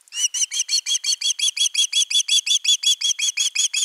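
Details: Osprey chick on a camera-watched nest, 10 August 2021, begging long for fish: a fast unbroken series of shrill, ringing chirps, each note arched in pitch, repeated nearly three times a second.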